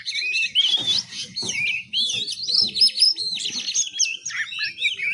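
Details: Juvenile oriental magpie-robin learning to sing in the ngiriwik style: a continuous run of high, twisting whistled notes and chattering warbles with quick slurs up and down, plus faint low knocks underneath.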